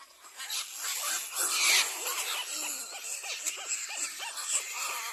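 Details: Little black cormorant attacking its young; after a noisy start, a run of short arched nasal squawks repeats roughly every half second, with a loud background hiss throughout.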